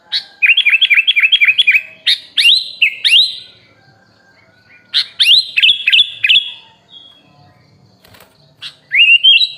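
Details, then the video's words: Sooty-headed bulbul singing a full fill-in training song: a fast run of repeated whistled notes, then sweeping upslurred phrases and a trailing rising whistle, with quiet pauses between bursts. "MASTERAN BURUNG KUTILANG FULL ISIAN MEWAH||SUARA BURUNG KUTILANG"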